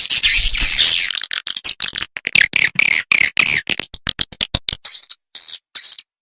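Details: Swiftlet call and roosting sound used in swiftlet farming to attract birds: harsh high chattering squawks that break into fast separate clicks, ending with three short buzzy twitter bursts after pauses.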